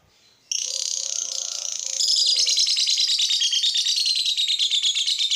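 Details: Lovebird song that is meant to make other lovebirds sing: after a brief quiet moment, a loud, continuous, rapid buzzy chatter of high repeated notes, about three per second, running to the end.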